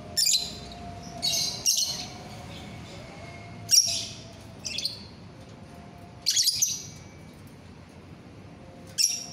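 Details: Lovebird of the biola euwing green colour form, recorded 24 November 2021, giving harsh, high, scratchy squawk bursts in short groups every one to three seconds over a faint steady low hum.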